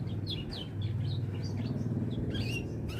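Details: Canary song: short, high, sweeping chirps and brief twittered notes scattered across the clip. A steady low hum runs underneath.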